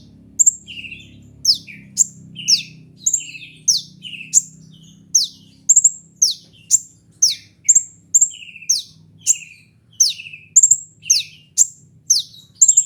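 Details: Sunbird known as kolibri ninja, offered as lure and tutor sound for songbird keepers. A fast, steady string of shrill high chips and sharp downslurs, close to two per second, over a faint low hum.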